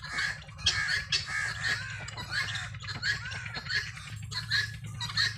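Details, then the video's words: Helmeted guineafowl searching for food while ranging freely, uttering grating, squawky calls in an uneven series over a low background rumble. "GUNea Fowl Saund and searching feed free range"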